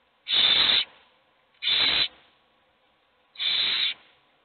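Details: Begging owl nestlings, hungry and waiting as only one is fed, produce three loud, breathy hissing screeches of about half a second each, with a longer gap before the last, in an otherwise quiet nest box.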